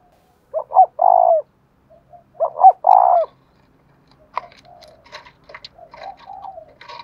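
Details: Spotted dove kept as a cage bird, đồng thổ voice: two loud hoarse coo phrases with stuttered starts, followed by softer coos mixed with scattered clicks and rustling.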